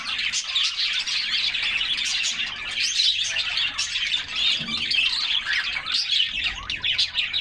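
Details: Group of canaries bathing in summer, their song mixed with splashing; continuous dense twittering in several overlapping voices, holding a steady loudness for the whole stretch.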